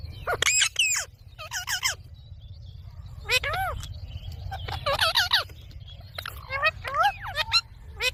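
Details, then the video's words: A young green rose-ringed parakeet gives harsh, rasping, arched squawks in short bursts of two to four notes every second or so, over a low steady hum. "Parrot sound videos"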